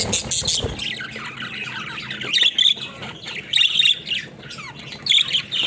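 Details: A flock of pet budgerigars playing in their cage, a low thump at the start, then lively squeaky warbling and sharp squawks, with louder clear whistled chirps popping out every second or so.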